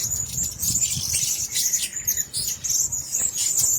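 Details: Blue-crowned hanging parrots held in one cage give a continuous stream of thin, shrill, high-pitched chirps and squeaks above a low rumbling background.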